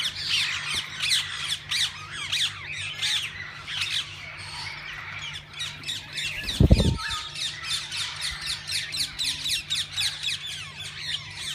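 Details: Many kinds of parakeets in a walk-in aviary at a parrot zoo keep up harsh, chattering squawks without pause, high and scratchy, over a low steady hum and one dull thump.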